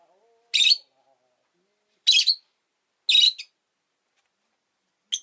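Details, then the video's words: Pair of rosy-faced lovebirds clustered at an entrance utter loud harsh chirps, some clipped into two parts, about a second apart, with a faint low whine at the start. "コザクラ便り 112 入口で２羽固まって【Lovebird Chirping Sounds 、roseicollis、모란앵무、agapornis】"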